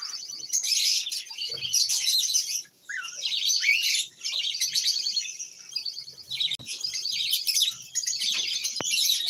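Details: Kept lovebirds, several together, chattering in a dense stream of shrill, high chirps and squeaky twitters, broken by two short pauses near the three- and four-second marks.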